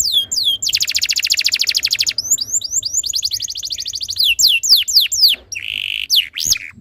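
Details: Tutor song of a canary meant to make other canaries join in: a dense rapid trill, then runs of falling whistled notes and quick chirps, ending with a short buzzy roll and sharp upward notes.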